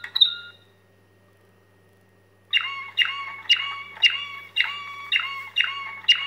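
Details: Waterslager canary singing staaltonen, a song tour of ringing metallic notes: after a brief high note and a pause, loud bell-like strokes repeat about twice a second, each fading away, in a quiet setting with faint hum.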